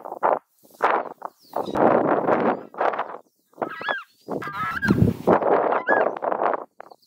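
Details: Southern screamer (Chauna torquata) scream, a bird of aquatic habitats, rural areas and flooded land: loud, harsh, honking bursts in quick series, several drawn out about a second, with thinner higher notes breaking in near the middle.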